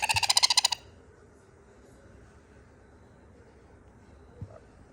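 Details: Sun conure chick asking for more food, giving a single short burst of quick, grating, pulsed notes at the start, followed by near silence with one soft knock.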